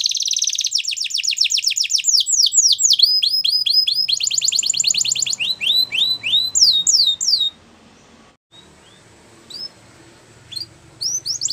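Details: A Belgian canary sings a fast rolling trill into strings of sharply falling whistled notes, then the song fades to a quiet stretch with a few scattered chirps.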